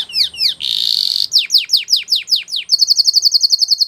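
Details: Spanish Timbrado canary training song with falling whistles, a rolling metallic trill, a series of slow descending sweeps, and a closing fast bright pulsed tour.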